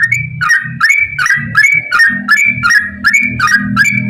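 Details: Continuous ropel song from a yellow-vented bulbul, used as a lure for other bulbuls: rich, gurgling whistled notes tumbling in quick succession, about eight in four seconds, over a constant low hum.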